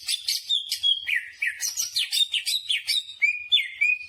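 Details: Greater green leafbird in nonstop song, a rapid medley of whistles, slurred notes and buzzy chips for four seconds, ending in long descending whistles.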